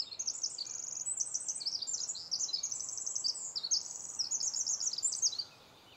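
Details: Winter wren (Troglodytes troglodytes) in forest, Vancouver, Washington, USA, April 18, 2010: long, rapid song of high trills and tumbling notes running without a break for over five seconds over a faint forest hush.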